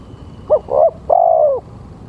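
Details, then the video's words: Single phrase from a male spotted dove, a lure call for catching doves: a brief soft coo, a rounder second coo, then a long sustained coo that slides gently downward, over faint low background rumble. "Suara Tekukur-Pancinga Tekukur"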